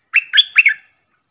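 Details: Short cheerful phrase from a red-whiskered bulbul: four quick liquid whistled notes, rising and dipping, with a faint high ticking in the background.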